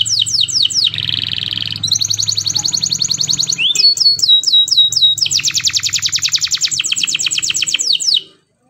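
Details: Morning canary song meant to coax other canaries into singing: rapid high repeated notes, a dense buzzing roll, chains of quick downslurred chips and a long fast trill, continuous and bright before stopping abruptly.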